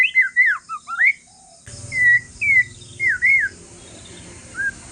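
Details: White-rumped shama of a wild Aceh forest line giving a calm song meant to make other shamas answer. Rich whistled phrases rise and fall, with looping slurred notes, then spaced short whistles over a steady background hiss.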